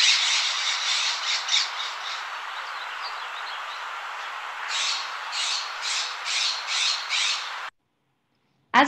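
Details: Played recording of a scrub-jay near Knickerbocker Meadow, Big Bear Lake, California, responding to other jays, probably fighting over peanuts: harsh, nasal squawks in quick bursts, a cluster at the start, then a run of five or six about a second apart.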